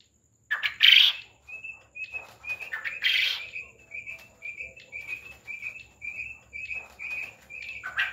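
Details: Farmed quail: two loud harsh bursts, then a steady run of short, clear, high peeps repeated about every half second.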